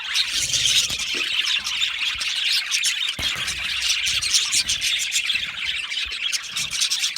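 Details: Australian budgerigars chattering in an aviary, rapid high chirps and warbling twitters crowding together in a continuous bright babble.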